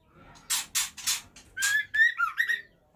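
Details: Captive female White-rumped Shama from a breeding setup sings unexpectedly: a brief run of clear whistled notes that slide and warble up and down. Several loud broadband rustling bursts come just before.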